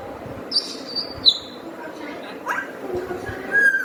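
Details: A friendly pet parrot that is learning to talk gives two high, clear whistled notes in quick succession. A brief chirp comes later, over a steady indoor background hiss.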